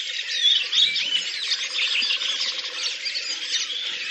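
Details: Redwings (Turdus iliacus) singing as a flock at Lipovaya Gora, Oka Nature Reserve, Russia, April 2019; a thick continuous chatter of thin, squeaky whistles and twitters from many overlapping birds.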